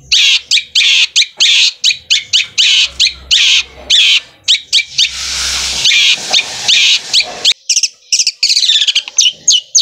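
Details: Long-tailed shrike in song, a rapid run of sharp chattering notes mostly high and bright, closely spaced and machine-like, with a brief rougher harsh passage midway.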